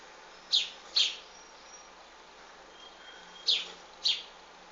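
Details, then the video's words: Wild bird chicks being fed by their mother; four short, bright chirps in two close pairs, one pair near the start and one near the end, over a quiet, steady background hiss. "Mother wild bird feed her babies"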